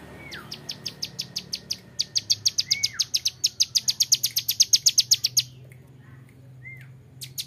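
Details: Young male ciblek gunung, Bar-winged Prinia used as a training model, breaks into a rapid dry buzzing rattle of high clicks, about four per second, with a few lower down-slurred whistles at the start and end.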